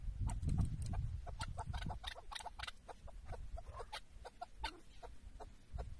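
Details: Decoy chukar partridge on a tether at a hunt in Şırnak, Turkey, producing a series of short, dry clucks at an uneven quick pace after a burst of low handling noise.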